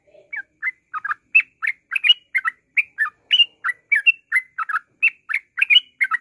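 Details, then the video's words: A yellow-vented bulbul sings a fast, continuous run of bubbly, liquid notes, about one and a half per second, rising and falling in a chattering string, used as a lure call. "TRUCUKAN NGROPEL"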